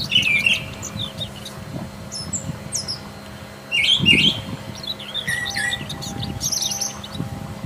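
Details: Brown Thrasher in the wild delivering scattered, varied song phrases of sharp chirps, quick slurred notes and short high trills. Low rumbling bursts, likely wind or handling, and a constant faint hum sit beneath.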